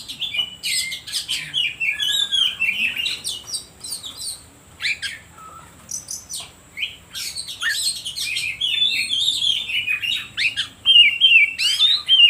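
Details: Oriental magpie-robin song used to provoke other birds into singing: a varied, rapid stream of high whistles, harsh chatters and trilled phrases, with short sweeping notes and rising-falling whistles packed closely over twelve seconds.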